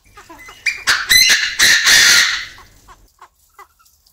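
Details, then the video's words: Chinese francolin male crowing inside an aviary, a female clucking nearby. A few soft notes open, then a loud, strident, rasping phrase of clipped harsh notes runs about two seconds and fades into scattered quiet ticks. "Tiếng Chim Đa Đa Gáy, Đa Đa Mái Tục Trong Aviary Mới Nhất, The sound of the partridge crowing"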